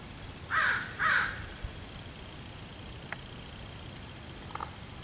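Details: A common raven (Corvus corax) gives two harsh, hoarse croaks in quick succession, about half a second apart, followed by faint clicks over a low, steady rumble, on 10 August 2016.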